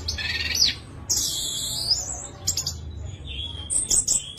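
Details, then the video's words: Orange-headed thrush song aimed at getting quiet thrushes to sing: scratchy high phrases, a long buzzy whistle and chattering notes against constant low-pitched background noise. "ANIS MERAH GACOR VOLUME JERNIH BIKIN CEPAT EMOSI ANIS MERAH MACET"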